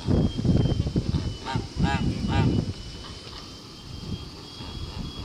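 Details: Blue Kholmogory gander, hatched 2016, on a farm, recorded 21 August 2018: three nasal, ringing honks close together near the middle, over heavy low rumbling noise, then a quieter background.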